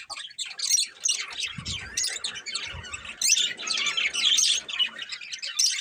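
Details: Breeding pair of colourful budgerigars keeps up continuous high chattering warble, scratchy squawks mixed with quick chirps, with a few low thumps early on.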